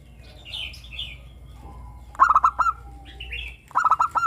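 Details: Morning song of an active local zebra dove: two bursts of rapid hollow coos with a longer final note, about a second and a half apart. Higher twittering chirps from other birds come between them.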